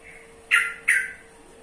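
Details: Yellow-vented bulbul with a pair of abrupt, scratchy chack notes spaced under half a second apart. Each note starts loud and tails off, over a quiet background hum.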